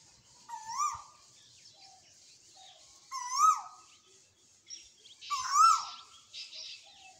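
A koel gives three loud, rising-then-falling whistled calls, roughly every two and a half seconds, over a steady high hiss of insects.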